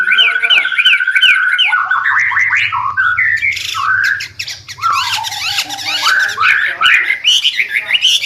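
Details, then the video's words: White-rumped shama (murai batu) in energetic song for bird training: a series of sharp repeated chevron notes opens, then it shifts into varied swooping, rising whistles and harsh rapid phrases, with a faint low hum beneath. "Murai Batu gacorrr"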